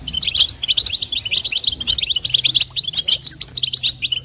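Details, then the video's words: Female European goldfinch calling for the male: a quick, evenly spaced series of sharp tinkling chirps, roughly eight per second, high and clear, over a faint low hum. "نداء انثى الحسون لتحفيز طائر الحسون"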